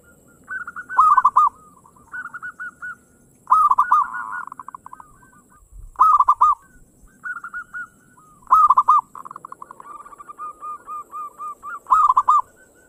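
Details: Fast 'ngayer engkel' singing from a local zebra dove, used as a lure so others will sing: loud rolling coo phrases every two to three seconds with shorter higher coos and buzzy runs between, over a faint steady hiss.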